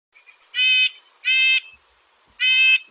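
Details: Red-breasted nuthatch (Sitta canadensis) call, Lake Tahoe: three nasal, tinny 'yank' notes about a second apart, each short and flat-pitched like a toy horn.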